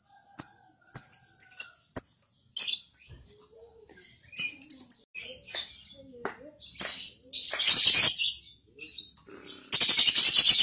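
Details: Lure recording of a young lovebird meant to trigger ngekek chattering: sparse thin whistled peeps and chirps, then rougher squawky bursts, ending in a dense rapid chatter.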